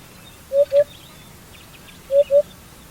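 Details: Eurasian hoopoe (Upupa epops) giving soft, hollow, low 'oop-oop' pairs repeated about every one and a half seconds, with faint chirps from other birds behind.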